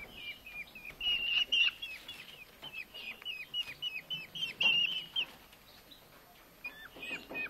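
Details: Two rescued Eurasian hobby nestlings, found starving on a road on an August Friday evening, being fed in Dömös: quick runs of short, high, down-slurred notes, rising in intensity and then tapering off.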